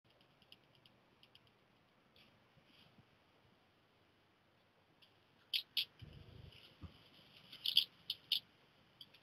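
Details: Male black redstart (Phoenicurus ochruros) giving a few short, high ticking calls while preening, a contact call the eldest of five nestlings follows to fledge from the nest; brief low background rumble.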